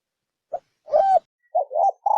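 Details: Spotted dove, 'thổ sấm đồng' style lure call for attracting males, females and wild birds: a brief short note and one long hollow coo, then a quick two-part wavering coo and the start of another.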